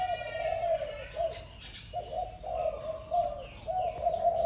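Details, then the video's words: Dove cooing in the morning, a series of low, mellow, drawn-out notes on a steady pitch, coming in linked phrases with brief breaks, with a faint murmur and light chirps behind. "Sound dove, Sweet sound of dove in the morning, good sound"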